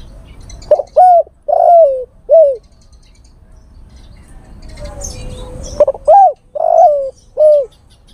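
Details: A male spotted dove calls to a female in two phrases of four soft, mellow coos, the third note longest and slightly wavering. The phrases are separated by a few seconds of quiet background hum.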